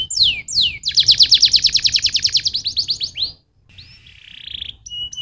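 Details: Canary song meant to encourage other canaries to sing, opening with two falling whistled sweeps, then a rapid steady trill of about twenty repeated notes, a short pause, and a softer buzzy phrase with thin whistles.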